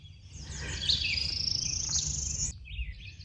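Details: Northern Parula (Setophaga americana) singing its buzzy ascending trill, rising steadily over about two seconds and ending abruptly, from a roadside in low alder brush with snags in Sax-Zim Bog, northern Minnesota, in summer; low background rumble.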